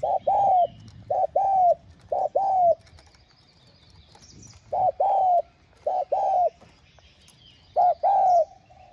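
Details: Repeated low, mellow spotted dove cooing, meant to prompt other doves to coo. About six phrases in nine seconds, each a short note paired with a longer falling hoot, with faint chirps of other birds in the background.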